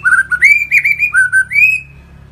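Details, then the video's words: Murai batu, or white-rumped shama, in gacor song: a run of mellow, fluty whistles rising and falling in a smooth phrase, ending on a long upward slur, over a low steady background hum. "BURUNG MURAI BATU GACOR"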